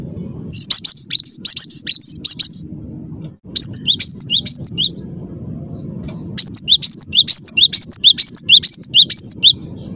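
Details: Cinereous tit with a persistent, clear song: three bouts of rapid, high, chattering whistled notes, the last one long and fast, over a faint low rumble.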